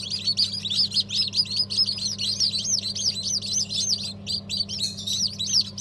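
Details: Many newly hatched chickens peeping together after a December 2022 hatch of breeds such as Habeş, Sultan and İspenç: continuous high, arched cheeping notes with a low droning hum underneath.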